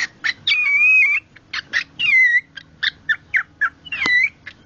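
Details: Pet cockatiel calling when presented with cloth, here a sock: a series of short harsh chirps mixed with longer wavering whistled notes, rising then falling, repeated irregularly, with faint low household hum beneath.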